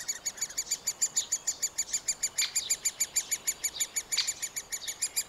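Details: Middle spotted woodpecker nestlings fed by a parent at the nest cavity give a fast chain of high chirps, about three per second, fairly quiet, with a couple of sharper clicks; Panasonic FZ 2000 recording.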